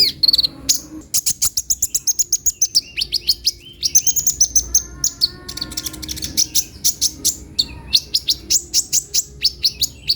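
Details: Kolibri ninja, a sunbird kept as a songbird, delivering a rapid, busy run of sharp high chirps and trills, with short descending whistled slurs and buzzy notes packed closely together.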